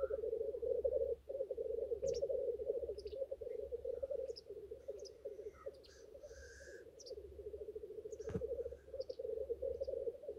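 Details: Steady bubbling drone of male black grouse displaying at a lek, with scattered high chirps, hissing sneezes and a low knock.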